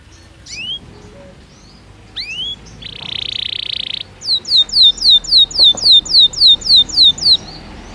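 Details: A Belgian canary sings in natural song. Scattered rising chirps and a brief dry buzzy rattle lead into an even series of about a dozen crisp downslurred notes, roughly three each second, over faint background hiss.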